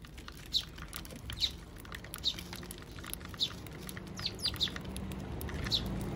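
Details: Eurasian tree sparrows, adults and chicks, feeding at a bird feeder on 7 June 2023: clear piercing chirps spaced roughly every second, some doubled, against faint rustling and a low steady hum.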